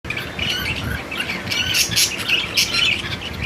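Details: Cockatiel calling: rapid, busy high chirps and squeaky notes, about four per second, overlapping in a noisy chatter, possibly several birds.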